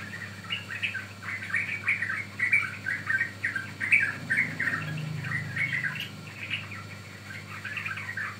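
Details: Yellow-vented bulbul song used to lure and train birds: repeated bursts of liquid, chattering phrases, fading slightly near the end, over a low constant hum.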